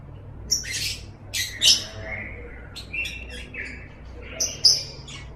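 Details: Lovebird sounds for training kept birds: scattered sharp, high squeaks and brief harsh chatters, mixed with lower, drawn-out whistled notes, spread irregularly across a quiet background.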